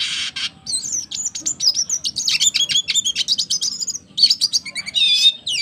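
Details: A double dilute red siskin, a kept cage bird, delivers an energetic song of fast, sharp chirps and rising and falling twittered notes, broken into quick bursts with short gaps, over a faint low background hum.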